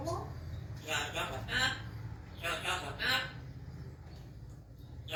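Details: Grey parrot (Psittacus erithacus) mimicking speech, talking in short speech-like bursts of four or five word-like phrases within a few seconds, over a low steady hum.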